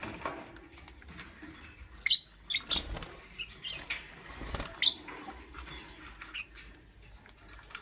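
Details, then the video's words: Lovebird calling in the morning: a few sharp, high chirps standing out around two and five seconds, with softer scattered clicks and a low steady hum in between. "Amazing Lovebird - Beautiful Colors - Chirping Sounds"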